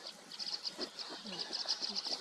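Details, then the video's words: White-cheeked starlings calling as a flock, a summer breeder in Korea: rapid, repeated high chirping notes tumbling over one another in a busy, noisy chorus, with faint low murmurs beneath. "찌르레기 새소리!"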